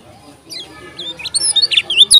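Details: Lombok lemon-bellied white-eye, called kecial kuning, bursting into intense song. After a quiet start, sharp high chirps and slurred whistles quickly build in volume.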